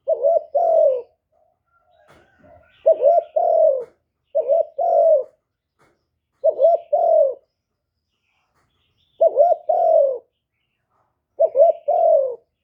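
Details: Spotted dove kept as a decoy to attract wild doves coos steadily, six low husky phrases of a quick wavy note plus a longer falling one, spread irregularly with short silences between.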